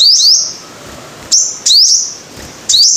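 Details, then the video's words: Sunbird, called five-coloured, heard on a lure recording: high thin phrases, each a swift upward glide into a sustained bright tone. They come in pairs separated by about a second of near silence. "Tiếng chim hút mật 5 màu"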